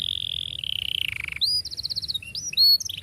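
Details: Canary song for teaching young canaries: a long sustained trill slowly dropping in pitch, then quick pulsed notes and bright whistled upslurs.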